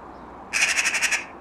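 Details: Jackdaw that has returned to the same person daily for four and a half years, copying crows and magpies: a quick chattering rattle of about nine harsh pulses in under a second, magpie-like, with the person's voice nearby.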